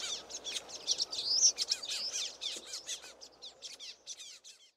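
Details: A flock of common waxbills giving loud, excited calls from a reed bed along a stream: a rapid, overlapping stream of high, thin, buzzy chirps and short downslurred notes, several per second.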